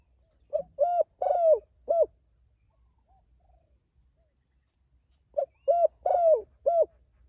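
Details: Spotted dove calling vigorously for its companions, repeating the same four-note phrase twice about five seconds apart. Each phrase has a small lead note, a level coo, a long sliding croo and an abrupt last coo.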